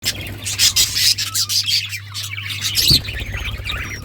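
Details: Several pet budgerigars, described as Australian parrots, chatter together in dense, overlapping warbled chirps and squeaky twitters with a sharp squawk near the end, over a steady low electrical hum.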